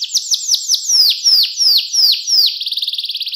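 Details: Canary delivering a clean 'cengkok mewah' master song meant for young canaries to learn: about seven loud, sharply falling whistled notes at an even pace, ending in a quick, bubbling high trill.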